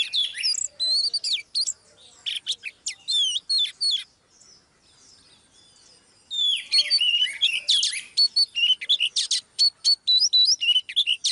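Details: Female Oriental magpie-robin's song, used to rouse a male: rapid, varied whistled phrases and chattery notes, a quieter gap in the middle, then a fast string of clear piping whistles.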